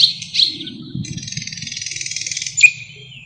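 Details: Song of a thrush nightingale (Luscinia luscinia), a mimic of other birds: two sharp high notes, then a long, even, buzzy rattle of rapid pulses ending in a bright whistled note, with a low rumbling hum beneath.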